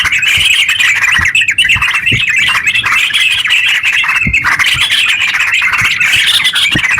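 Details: Nonstop rapid yellow-vented bulbul song intended to trigger singing in reluctant birds; a dense, somewhat harsh chattering wall of notes with occasional clicks and knocks underneath.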